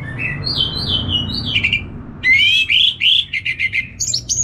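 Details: Caged orange-headed thrush from Bali, Indonesia, singing loud: a few falling whistled phrases, a brief pause, then a rapid burst of sharp chattering notes and clipped high whistles.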